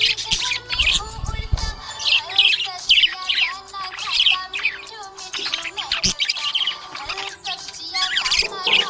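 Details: Budgerigar chirping happily, with rapid, busy chatter of high buzzy notes and clicks repeated in quick bursts almost without pause, while music plays underneath.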